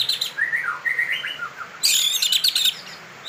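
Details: White-rumped shama being trained to turn into a fighter despite warming up late: short rising and falling whistled phrases, then a loud harsh rasping burst near the middle.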